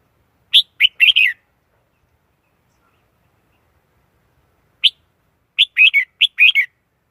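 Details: Red-whiskered bulbul singing short lively phrases of quick chirped and slurred notes, a cluster at the start and another after a long pause.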